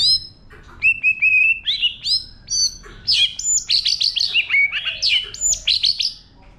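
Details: White-rumped shama giving wild-type song to stimulate birds: clear whistled notes, then a rapid run of loud, varied, sweeping phrases climbing to high pitch, each burst sharply separated.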